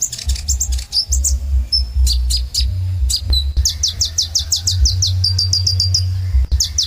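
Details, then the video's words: Sunbird singing vigorously: rapid series of thin, high, sharply falling notes, bursts of quick trills and a brief level whistle, delivered in fast runs with short gaps, over a steady low hum. "Kolibri Ninja Gacor Dor Suara Burung Terbaik"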